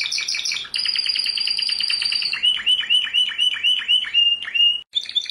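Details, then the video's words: World champion canary singing: high buzzy rolls and ringing whistled notes, then a run of rapid downward-swooping chirps repeated about twice per second, ending in a short sharp phrase after a brief pause. "Canto de canario"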